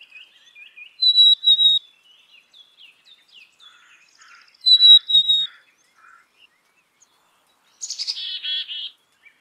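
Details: Whistled two-note phrases from a black-capped chickadee, repeated about three seconds apart amid soft scattered chips, ending with a harsh, buzzy burst of call notes.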